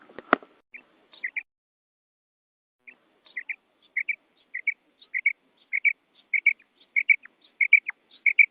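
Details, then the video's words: Female quail calling: a brief knock at the start, then twin whistled notes in evenly spaced pairs, coming faster and steadier toward the end, about a dozen pairs with no other sounds. "Urg'ochi Bedana Ovozi"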